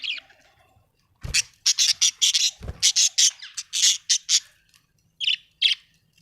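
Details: Pet budgerigars kept at home giving a rapid run of harsh, scratchy chirps and squawks in dense bursts, with short pauses between groups and a couple of low thumps.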